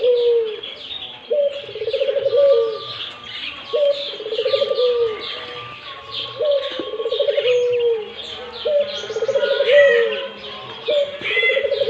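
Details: Long series of Barbary dove coos, each a bubbling pulsed run ending in a drawn-out note, recurring roughly every two and a half seconds, accompanied by a thin steady whistle and frequent chirping of other birds.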